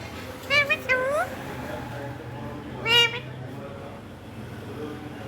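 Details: A talking Indian ringneck (rose-ringed) parakeet says a few brief, voice-like words, some rising and meow-like, in two bursts about two seconds apart over a low steady hum.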